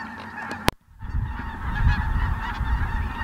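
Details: A flock of Ross's geese flying in at Merced National Wildlife Refuge on 22 December 2017 calls in a steady, high-pitched chorus of overlapping cackles. A sharp click and low wind rumble sound underneath.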